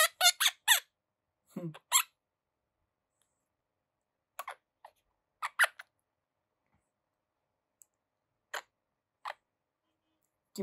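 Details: Pet Quaker parrot indoors in a small room, preening, relaxing and chattering: short scattered squeaky chirps and clicks in bursts over about ten seconds, with a person laughing and speaking softly nearby.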